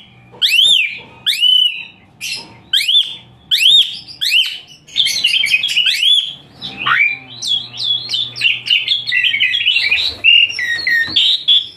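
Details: Asian pied starling singing harsh 'tembakan kasar' phrases for training other songbirds: evenly spaced piercing upswept whistles give way to a dense, rapid medley of chattering, scratchy and squeaky notes.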